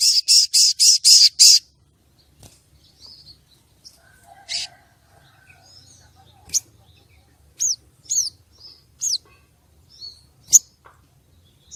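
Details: Lure calling of a female common iora, used to excite males kept for contests: a burst of buzzy, rasping notes at the start, then scattered thin upslurred whistles and sharp chirps over faint background rustle.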